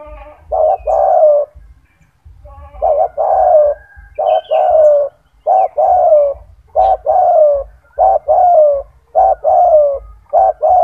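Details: A captive Spotted Dove, described as having a big, loud voice, sings low, hollow coos in short grouped phrases, repeated roughly every second, over a faint low hum.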